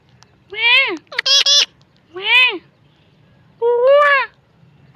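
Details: A pet parrot making weird, funny sounds: rising-and-falling harmonic squawks, a quick triple burst, then longer wavering calls, with quiet gaps between.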